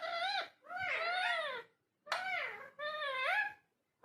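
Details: Indoor talking parrot giving long, drawn-out wailing, voice-like calls with rich harmonics, each sliding down then up, about four phrases separated by short gaps.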